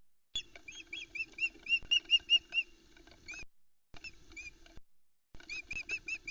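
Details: At the Loch Arkaig osprey nest on 4 July 2020, around 10am, the female screeches while the male waits with a trout and chicks block her, and squeaks continue; rapid high whistled chirps, two or three a second, in bursts.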